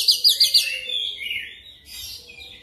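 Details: Kacer lure song for making a magpie-robin sing quickly and continuously. Four fast, sharp high notes open, then a long, gliding, descending whistle trails off, with a faint low hum behind.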